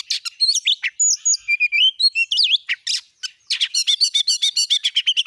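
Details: Oriental magpie-robin (Kacer) lure singing: varied whistled slurs and squeaks early, ending in a fast series of repeated high chirps.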